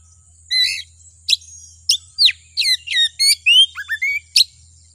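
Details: Oriental magpie-robin (kacer) lure song to stir a kacer into song: a buzzy opening note, then sharp falling whistles and a rapid sequence of varied slurred whistles, about three bursts a second, above a faint low hum.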